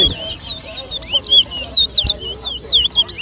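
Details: Towa towa whistling at a bird whistling competition between two birds in New Amsterdam, Berbice, Guyana, 2023: rapid, looping high whistles and slurred trills, with people talking and bumps in the background.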